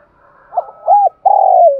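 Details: Spotted dove in Dong Nai, Vietnam, calling its flock in the morning: two short rounded coos followed by a long, steady, slightly falling coo, soft and mellow.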